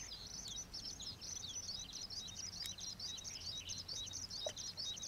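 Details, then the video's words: Foraging common waxbills, introduced escapees, at the Old Iron Bridge wetland in Taiwan; rapid unbroken chorus of high thin tsip and zit notes, many birds calling together, faint low background noise. "橫斑梅花雀覓食/Common Waxbill-bfpmv Foraging"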